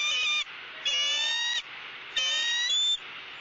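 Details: At a Southwest Florida nest on January 3, 2017, a wild female bald eagle squawks while the male eats fish and offers her bites: three harsh, high, harmonic squeals, some slightly falling at the start, repeated about every second.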